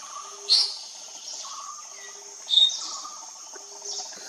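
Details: A Brown-breasted (Layard's) flycatcher at Talkat Vanudyan, Maharashtra, India, in March 2022 gives two short, sharp, high chips about two seconds apart, over a steady background of faint insect drone.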